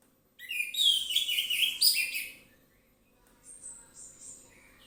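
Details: Orange-headed thrush singing relaxed and full as a lure for other birds: a two-second run of loud, rich, warbled and buzzy notes, followed by quieter high thin twitters.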